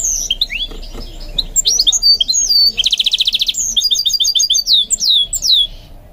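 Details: Song of a goldfinch mule under training: sliding whistles, a rattling buzzy trill in the middle, then quick chirps and falling swept notes.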